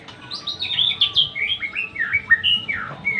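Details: Rich, rapid song from a white-rumped shama: bright whistled notes sweeping up and down in quick succession, each one pitched differently.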